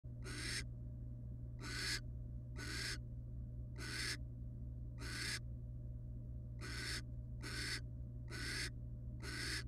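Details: Wild barn owl family resting together in a monitored nest box: nine harsh, breathy hissing bursts, each about half a second, repeated roughly every second, over a steady low electrical hum.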